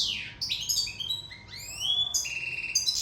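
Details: Sicilian European goldfinch singing in love: high, twittering phrases of rising and falling whistles and sliding notes, with a long steady whistled note near the end and a faint low hum underneath.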